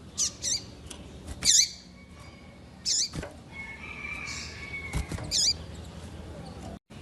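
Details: Captive female double-collared seedeater calling to rouse a male. High, clipped notes with a curling ending, repeated irregularly. Knocks and clicks sound between them, with a faint thin whistle in the background.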